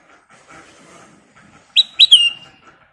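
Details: Sooty-headed bulbul singing vigorously in a lure recording, two loud clear whistled notes sliding downward, the second running into a short fading trill, over a faint murmuring background.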